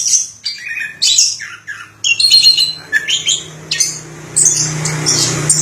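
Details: Orange-headed thrush delivering varied phrases of squeaky whistles and harsh, scratchy notes, ending in a rougher buzzing burst, with a low hum in the background.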